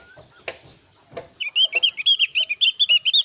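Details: Chattering lure song from an oriental white-eye, played to set other Javan white-eyes calling back and forth. A couple of knocks come first, then a rapid, bubbling sequence of high twittering notes that keeps going to the end.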